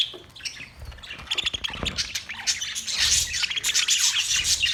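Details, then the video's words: Many budgies in a parrot colony setup chattering with busy, scratchy chirps and twitters that build to a louder, denser chorus in the second half. "Budgies Parrot colony Parrot colony setup Parrot Talking Parrot video Parrot chirping sound"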